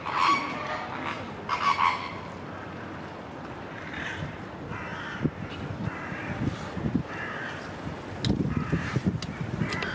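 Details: Mallard at Vienna's Schönbrunn zoo, recorded with a Lumix FZ82; two loud, raspy quack bursts open the recording, followed by softer scattered calls, clicks and low rumbling background noise.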